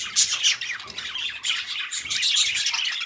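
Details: Two companion budgerigars in rapid chatter: scratchy, squeaky chirps run in quick, uneven bursts with short sharp squawks mixed in.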